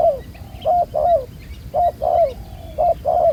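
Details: Spotted dove, wild-caught and black-collared, cooing during ground decoy trapping: three rapid pairs of soft low notes, each pair a quick coo then a drawn, downward-sliding one.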